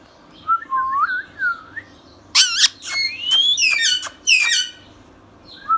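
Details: Pet Ringneck parrot, a talking bird, indoors: soft slurred whistles, then a burst of harsh, loud squawks and rising whistled notes in quick succession, ending with a faint whistle.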